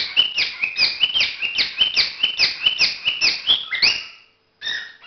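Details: Courtship calling of a cockatiel: quick, buzzy, downward-stepping chirps, about two per second, run for four seconds, then a short pause and a clearer whistled note.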